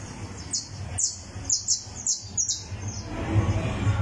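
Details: Criollo canary warming up and tuning its song on a tournament perch: sparse high, sharp chirped notes in a loose series, with a steady low hum underneath.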